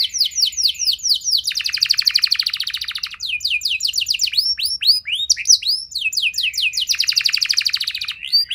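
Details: Canary singing continuously to prompt other canaries to respond. Swooping notes alternate with dense, buzzy rolling trills and bursts of rapid chatter, with no other sounds heard.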